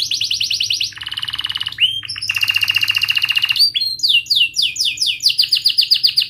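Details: Young-canary training song from a canary: rapid trills switching between pitches, a buzzy rolling passage, then a fast string of crisp down-slurred whistles.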